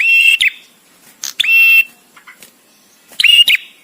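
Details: Male bar-winged prinia, a visiting bird, in song with gaps suited to tutoring caged birds: abrupt clicks then a held, harsh, high tone, repeated in bursts separated by quiet pauses of one to two seconds.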